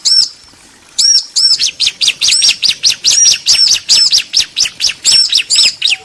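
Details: Bar-winged prinia, female and male answering each other, used as training audio to get caged birds singing. After a brief opening call and pause, high looping chirps follow in a fast, uneven run of about two notes per second.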